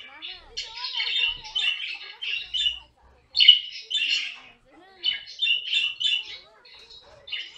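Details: Caique kept as a pet, screeching in choppy bouts of rasping squawks with short silences between them and faint softer warbles in the background.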